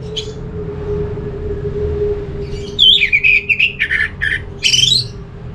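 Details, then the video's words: Orange-headed thrush song from North Bali, meant to prompt other thrushes: one faint early note, then a quick, busy run of warbled, chattering whistles, with a steady low hum beneath. "Suara burung ANIS MERAH ini ampuh bikin ANIS Jenis apapun ikut bunyi, pancingan Suara Sebagai Terapi"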